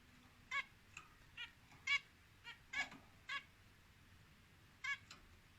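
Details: Pet zebra finch giving short nasal, buzzy beeping notes, eight of them spaced irregularly over about five seconds, against a quiet room hiss.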